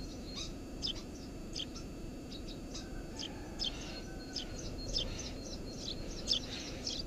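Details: Eurasian tree sparrow nesting under a house roof, recorded at the nest: short high chirps in irregular series, some doubled, with a few lower notes over a steady low hum.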